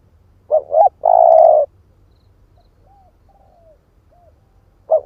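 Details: Lure spotted dove, split-breast type, calling to draw in wild doves. One coo phrase of two short looping notes and a sustained hum, then faint thin whistles and the start of the next phrase.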